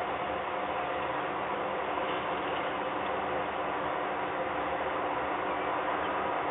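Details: Continuous dull roar of background noise, like traffic or wind, without any animal voice.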